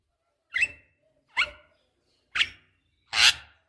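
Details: Javan myna, used as a lure recording with a female calling a male: four harsh, raspy squawks about a second apart, the last loudest and broadest, with quiet gaps between.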